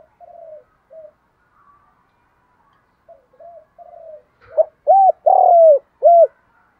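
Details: Decoy spotted dove calling wild doves to come: soft, low murmured coos first, then a loud phrase of mellow notes: a short coo, an arched coo, a long falling coo and another arched coo.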